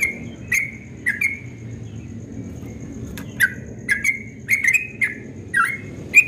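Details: Yellow-vented bulbul singing at dawn in the rapid 'ropel' style, described as very melodious: short bubbly notes near two kilotones, some sliding down then up, delivered in loose bursts with brief pauses, over a low background hum.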